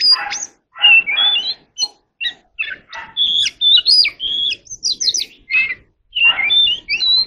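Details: Magpie-robin practising its song, a lively stream of scratchy chatters mixed with sweet whistled slurs and high upward flicks, broken by short gaps.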